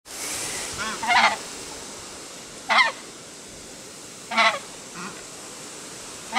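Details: Emperor geese honking: three loud, harsh, rasping calls spaced about every one and a half seconds, each a short burst rich in overtones, with a few fainter honks in between over a steady background hiss.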